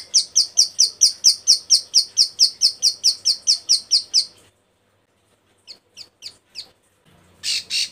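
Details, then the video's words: Breeding-condition female bar-winged prinia calling for males. Sharp, clear chirps repeat very evenly, about two per second, for over four seconds. After a silence come a few scattered notes and one harsh burst. "Burung Ciblek sawah Betina birahi gacor panggil jantan"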